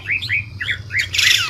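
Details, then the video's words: White-rumped shama, kept bird in Indonesia, song used to attract and train other birds: short rising whistled phrases near two kilohertz, ending in a harsh noisy burst; low hum underneath. "Suara burung murai batu ribut andalan!!MASTERAN!!ISIAN!!PIKAT hati burung MB anti Galfok"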